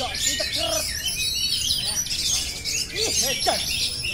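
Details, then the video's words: Oriental magpie-robin singing its rolling "ngerol" song nonstop: rich, high whistles, trills and slurred notes in a dense, unbroken flow, with lower warbling phrases and a harsh background hiss. "kacer phonix ngerol abis"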